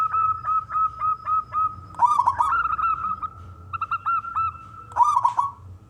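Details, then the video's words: Singing male local perkutut (zebra dove), a wild-stock bird used to draw other doves into calling. A steady run of short pulsed coos forms a level line, punctuated by brief rattling flourishes roughly every one to two seconds. "perkutut lokal gacor suara jantan"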